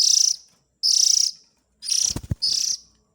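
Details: Calls of an Oriental magpie-robin chick, used as a lure for adults. Grating, high buzzes come in quick succession, and several low thuds fall among the later calls.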